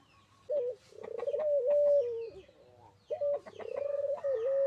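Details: Puter dove, a local bird, in full song: two coo phrases, each opening with a short note and then a long vibrating, slightly wavering purr that drops at the end, with some clicks and background noise.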